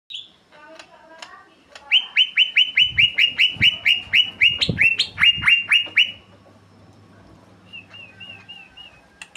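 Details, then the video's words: Greater green leafbird singing actively in a rolling style: a fast run of about seventeen loud, sharp downslurred notes at steady pace, preceded by scattered chips and followed by soft warbled trills, with a low hum beneath. "cucakijo gacor ngeroll"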